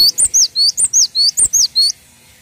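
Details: Cinereous tit (gelatik watu), a tutor recording of a bird singing steadily: a rapid string of about nine high, sharp two-part whistled notes, each dipping then rising, over roughly two seconds, then quiet.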